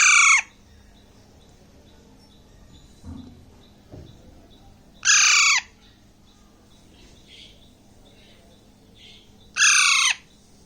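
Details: Baby Alexandrine parakeet, about one and a half months old, in Bangladesh, eating grapes: three loud, harsh, screechy calls, each about half a second, spaced roughly five seconds apart, with faint low handling noises and a steady background hum between.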